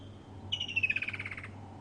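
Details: A Woodland Kingfisher, a summer migrant calling and displaying in mating season, gives a sharp high note, then a fast trill of about ten pulses that slides downward and fades, over a low engine hum; sunrise safari drive, November 28.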